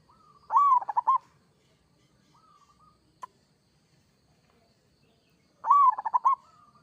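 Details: Zebra dove of a local strain cooing: two rapid, bubbly phrases of stuttering notes about five seconds apart, with a soft trailing coo and a single click in between.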